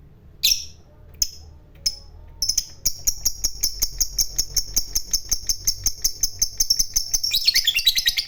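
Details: Fighter lovebird performing ngekek panjang, a long trill used as a lure for other lovebirds: a few sharp chirps, then a steady thin high note pulsed rapidly for several seconds, turning into a coarser chatter at the end.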